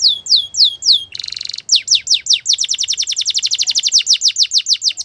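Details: Belgian canary singing in the morning: a few rising-then-falling whistled sweeps, a short buzzy roll, then a fast run of sharp descending notes, about seven per second.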